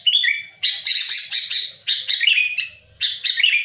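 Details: Sooty-headed bulbul giving loud, aggressive song at rivals: an opening whistled phrase, then long dense harsh chatter, repeated in near-continuous bursts.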